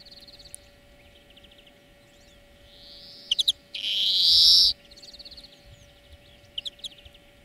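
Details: Song lesson of a European greenfinch for training birds: soft twitters and a faint rising wheeze, three sharp chirps, then a loud harsh buzzy wheeze, followed by scattered quiet chirps.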